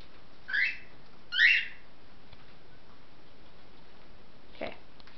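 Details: A pet cockatiel, one of six kept indoors in cages, gives two short, bright chirps less than a second apart, then quiet apart from a faint click.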